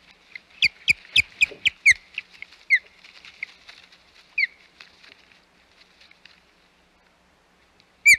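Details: Osprey at the Hog Island nest on 25 May 2021: a quick run of sharp, high chirps with harmonics, mixed with loud dry knocks and clicks, then thinner chirps trailing off and a final bright chirp at the end.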